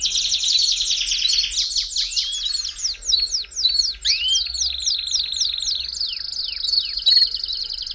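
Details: Belgian canary song meant to warm up a canary, opening with a fast chattering trill, then spaced sharp downslurred chips and rising whistles, finishing on a sustained buzzy tone.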